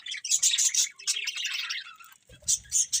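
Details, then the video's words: Shrill, rapid budgie chirps and warbling chatter fill the first two seconds, then a pause, then more sharp high chirps over a low rumble. "Adorable Budgies Chirping Sounds"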